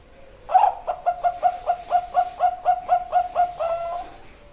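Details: Zebra dove of the Bangkok type, a female calling to a male, gives a run of about thirteen short coos, steady and quick, ending in a longer held note, with a faint room hiss behind.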